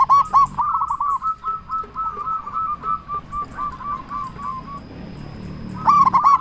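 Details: Local zebra dove lure call: a loud bubbling phrase opens and closes the passage, with a long series of softer, evenly pulsed coos between, and a low hum beneath.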